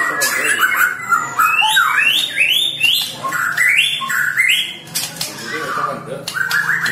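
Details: Magpie-robin in loud, energetic song: rising and falling whistled phrases with sharp upward sweeps and stepped notes, delivered in quick succession with brief pauses and no other clear sounds.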